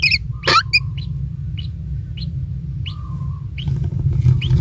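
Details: Lone kingfisher chick at its nest, still tiny and receiving insects from a parent; spaced short chirps roughly every half second after an opening noisy burst, a thin steady tone beneath, low rumble throughout.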